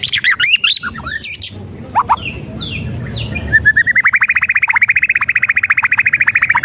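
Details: White-rumped shama whistles and rattles to provoke singing: varied whistled phrases, then a long, even, rapid rattle of sharp repeated notes lasting several seconds.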